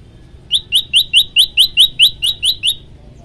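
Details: Tailorbird known locally as prenjak lumut, singing actively in a varied training recording: eleven bright, quick upslurred chirps, evenly spaced about every quarter second, with low background hum.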